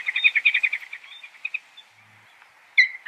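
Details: A Peregrine falcon gives a quick run of sharp, high chips that slow and fade over about two seconds, then one loud clipped note.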